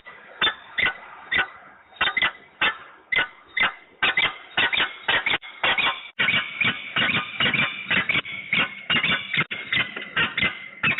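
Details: Peregrine falcon pair duetting at Włocławek on 9 August 2020: harsh, grating calls, first spaced about half a second apart, then crowding into a dense, overlapping chatter of rasping notes, with a faint hum underneath.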